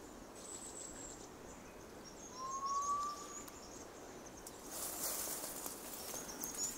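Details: A hill partridge at Eaglenest, Arunachal Pradesh, gives a single soft, clear whistle rising slightly in pitch, over a hiss of forest noise with faint high insect or bird notes.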